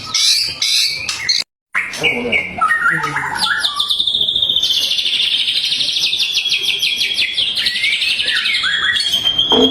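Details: White-rumped shama song meant to provoke rival birds: mixed chirps and varied notes, then a long, fast, buzzy rattling trill held high for several seconds, with background hiss.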